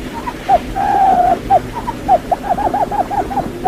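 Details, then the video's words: Quail lure call: soft, low hooted notes in quick succession, with one long sustained note near the start, then a brisk series of short curved notes speeding up toward the end. "tiếng chim cút mồi"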